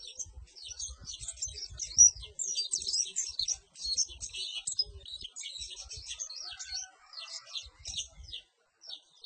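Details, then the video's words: Perci bird singing a fast, dense jumble of high, thin chirps and twittering trills, continuous for most of nine seconds with only brief pauses, and faint low thumps beneath. "Suara Burung Perci"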